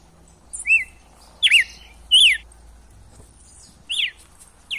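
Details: Sparse red-cowled cardinal song, wild style, for prompting a captive male to sing: four or five isolated whistled, arching notes spaced about a second apart over a faint low hum.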